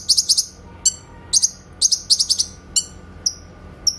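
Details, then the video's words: Clear 'tembakan' (shot) song of a grey-cheeked bulbul, recorded as a training master for songbirds. Quick clusters of three to four sharp high notes alternate with single downward flicks, against a quiet hum. "MASTERAN BURUNG CUCAK KINOY SUARA TEMBAKAN JERNIH"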